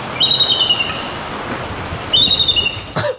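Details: Genuine bald eagle call: two bursts of high, thin chittering notes stepping downward, gull-like, about two seconds apart, unlike the red-tailed hawk scream often dubbed for it; a sharp click ends the clip.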